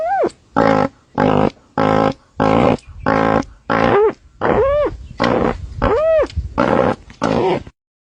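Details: A strange vocalization from a dusky-legged guan: a series of eleven loud, harsh, nasal roaring honks at a steady pace, the later ones bending into whining, arching wails.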